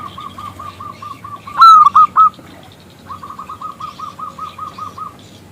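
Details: Local zebra dove calling a male to answer: a soft, even row of coos, then a loud three-note ringing phrase, then another fast, regular series of soft notes.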